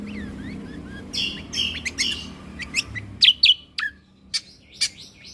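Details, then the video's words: Lesser green leafbird gacor song, meant for tutoring other songbirds in tembakan bursts: scratchy, buzzy phrases leading into sharp separated chirps, against a noticeable low background drone. "Cucak Kombo Gacor Mentalan Pas Untuk Masteran Burung Isian Tembakan"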